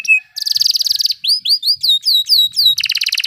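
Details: Canary in rolling song, a recording for teaching other birds: a short buzzy trill, then a run of looping downslurred whistles repeated about three per second, finishing in a dense rattling trill.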